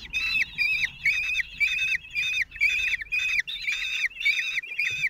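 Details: Common kestrel nestlings, four chicks aged 16 days, calling as the single male parent feeds them on 26 June 2023; rasping, slurred screeches repeated roughly twice a second, steady and insistent.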